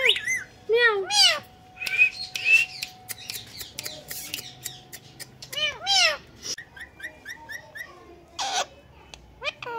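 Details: Pet Indian ringneck parakeet talking and mimicking a cat's meow: repeated drawn-out rising and falling meow-like calls mixed with sharp high squawks and clicks, with a person's speech nearby.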